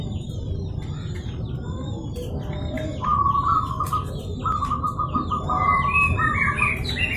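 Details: Local zebra dove calling to provoke a rival into answering: rapid, evenly pulsed cooing notes on a steady mid pitch begin after three seconds, with short high chirps from other small birds above and a low background rumble.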